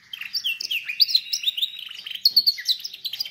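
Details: Canary song for training canaries: dense, lively warbling of quick chirps and slurred notes, rising and falling constantly with no pauses for over three seconds.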